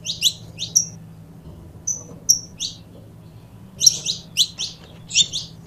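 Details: Saffron finch pair, a recording meant to spur other birds into song: quick clusters of sharp high chirps, then a lull with a few thin whistled notes, then a renewed burst of chirping over a soft low hum.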